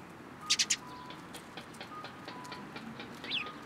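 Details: Sparrows gathering in a cherry tree at a Tenmangu shrine on 21 March 2023: a quick burst of three bright, high chirps, then scattered faint chirps and one rising note near the end.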